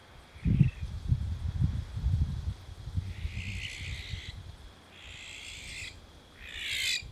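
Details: Barn owl at night in July 2020, recorded from a village in La Segarra, Catalonia, seen twice between trees, gives three harsh, hissing screeches of about a second each over low rumbling wind and a faint high insect hum.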